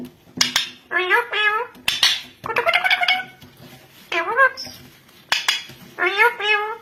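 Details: Yellow ringneck parrot mimicking human speech in a talking competition. Five or six quick phrases of bent, warbling syllables come one after another with short gaps, mixed with sharp clicks indoors.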